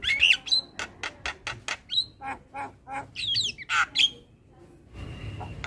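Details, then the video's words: Javan myna training song with full filler: a rapid string of dry, harsh squawks at an even pace, broken by a few squeaky whistled notes, then a brief quiet stretch with faint background hiss. "Semua Jalak LAngsung Respon Dengar MAsteran Jalak Kebo Full isian"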